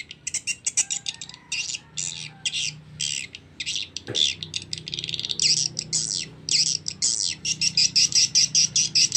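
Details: Recorded swiftlet lure sound of young swiftlets, said to include mating (birahi) calls: dense, buzzy, high chirps in a rapid run of about two or three harsh twitters per second with short gaps.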